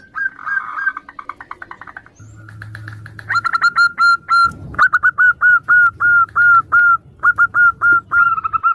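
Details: Female local zebra dove calling to the male amid answering doves, a lure recording: after softer, busier chirping, a steady series of clear, slightly falling whistled notes repeats about three times per second, with a short thud midway.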